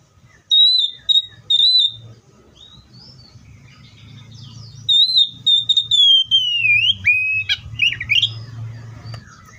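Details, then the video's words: Oriental magpie-robin whistling: short level high notes in a little series, a pause, then a long descending slurred whistle and scratchy twitters, with constant low background hum. "THIS COPSYCHUS SAUCARIS BIRD IS POWERFUL TO MAKE YOUR OPPONENT'S EMOTIONS!"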